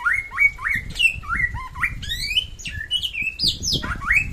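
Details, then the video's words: Energetic song of a samyong from West Nusa Tenggara: continuous varied whistles, some swooping up, some flat and sustained, others jumping higher, over faint low background noise. "SAMYONG NTB GACOR SUARA MANTAP"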